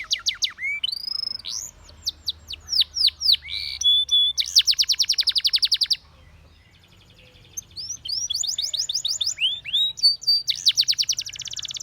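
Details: A Spanish Timbrado canary sings bright, varied phrases: rapid metallic rolls, sweeping whistled slurs and steady trills, with a brief lull midway.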